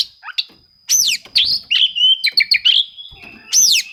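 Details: An Oriental magpie-robin sings in challenge, seeking rivals, a lure for silent birds: sweeping down-slurred whistles and scratchy clipped notes in quick phrases, with a short pause early, over a steady high electronic-like whine.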